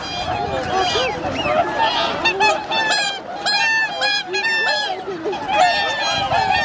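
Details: Large wintering flock of whooper and tundra swans on Lake Hyoko, an artificial Ramsar wetland in Agano, Niigata, Japan, January 8, 2022, about 2628 birds present; overlapping honking and bugling calls, dense and continuous, with many birds calling at once.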